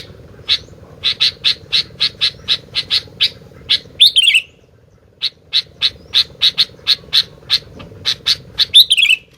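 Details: Lively sooty-headed bulbul keeps up long series of crisp, evenly spaced chips, about two per second, with a short fluty downslurred whistle at two points. A constant low hum runs underneath.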